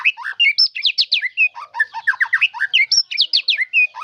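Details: Continuous, dense White-rumped shama song with isian phrases: quick repeated sharp chirps and falling slurs at varied pitches, delivered nonstop at a fast, lively pace.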